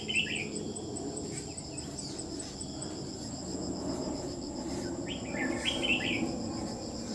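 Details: Red-whiskered bulbul used while trapping, recorded 27 July 2019: short bright warbled phrases at the start and again near six seconds, over a steady high shrill insect chorus of crickets.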